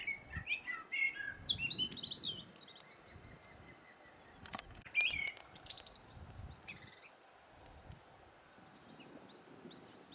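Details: Singing blackbird: a brief fluty warble breaking into a long, scratchy, high twitter of rapid notes, then quieter; faint outdoor background.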